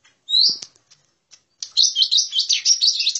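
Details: A rising whistle and faint ticks from a lesser green leafbird, followed by a continuous rapid, warbled chatter of high notes, used as a lure call to attract birds.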